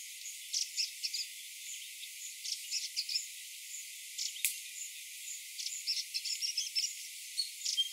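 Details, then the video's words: Grey-breasted prinia singing in the morning, high, thin, rapid chipping phrases in short bursts repeated every second or so, with a faint insect-like hiss beneath. "Grey Breasted Prinia Singing"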